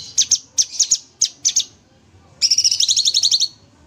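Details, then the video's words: A captive Sooty-headed bulbul in an aviary sings at full, lively volume for use as a training recording, giving bright, high chirps in quick pairs, then a fast run of sharp, even notes; no other sounds. "Cucak Cungkok full tembak gacor"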